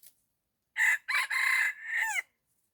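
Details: Decoy red junglefowl calling in wild birds; a full crow in four loud, strained segments, the last one dropping in pitch at the end.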